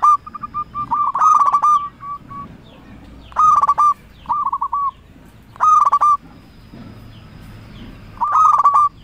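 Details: Local zebra dove lure call intended to make rivals respond: loud bursts of rapid rolling coos every two seconds or so, interspersed with gentler bubbling coo series, above a constant low rumbling background.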